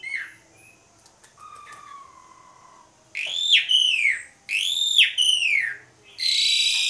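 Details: Asian pied starling lure song: a few soft whistles, then loud arched whistled notes repeated in two bursts about a second apart, followed by a harsh rasping burst.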